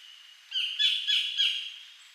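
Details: Wild collared kingfisher at Bung Boraphet, Thailand, in 2011: a short burst of three or four loud, harsh, rasping notes in quick succession, fading at the end.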